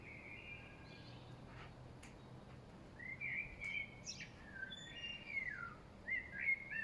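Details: Common blackbird (kos) singing loudest among spring birds in the late afternoon, dated 5.3.2023: quiet start, then low fluty whistled phrases with short higher twittering notes from about three seconds on, other birds chirping faintly.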